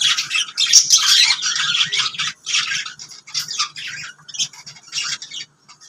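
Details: Pet lovebirds chatter in loud raspy squawks and chirps, crowded together in the first two seconds, then thinning to short separate bursts with brief pauses before fading out.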